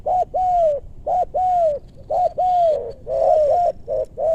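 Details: Spotted dove calling during dove luring in maranti wood forest, west Bogor: loud, clear cooing phrases, each a short note then a longer arched, falling coo, repeated about once a second with brief gaps.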